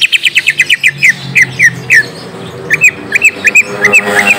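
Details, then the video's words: Young-bird lure of greater green leafbird song: a very fast volley of short chips, then slower, spaced curling whistled notes, over a faint low hum. "Pancing cucak ijo bakalan / mh langsung nyaut bunyi"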